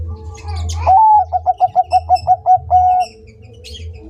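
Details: Zebra dove of the Bangkok type singing one crisp phrase: a short upslurred note, then around eight bouncy, evenly timed coos ending in a longer steady note, with light chirps from other birds behind.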